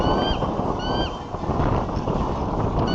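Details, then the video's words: Bald eagles working on their nest at Davenport, USA, calling as intruders fly past, late afternoon on 29 January 2014, captured by a nest camera; thin high whistled notes, each briefly rising then dropping, sound twice early and again at the end over steady wind rumble. "Eagles working on nest and vocalizing as intruders fly by nest"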